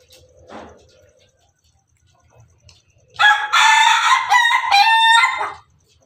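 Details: Red Ayam Ketawa (laughing chicken) rooster perched on top of its coop, crowing melodiously: after a faint short call and quiet, one loud crow of about two and a half seconds, broken into choppy, stuttering, laugh-like pulses.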